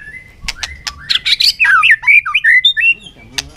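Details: White-rumped shama fight singing under afternoon sun: harsh clicks and rasping notes give way to a rapid string of twisting whistled phrases, ending with a few sharp ticks.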